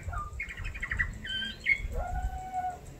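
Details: A female Australian magpie mimics, drawing on a repertoire of kookaburras, black-cockatoos, small birds, honeyeaters, dogs and human whistling: a quick string of chirps, a few bright whistles, then a long, slightly wavering lower whistle over a low rumble, with another bird playing with a toy nearby.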